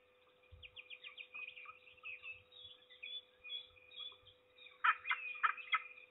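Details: Harsh, grating notes from a peregrine falcon, repeated four or five times near the end, recorded at Trzebież on the morning of 6 May 2019 around 7:28, over dense chirping of other small birds, a few low thumps and a constant hum.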